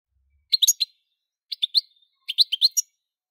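A European goldfinch sings three quick bursts of bright, tinkling twitters, each ending in a brief buzzy trill, against an otherwise quiet background.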